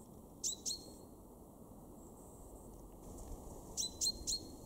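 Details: Common chaffinch male in a Weener garden, far northwest Germany, March 2023, with a pair of crisp high calls, a short pause, then a faster run of three ringing downward-flicking notes.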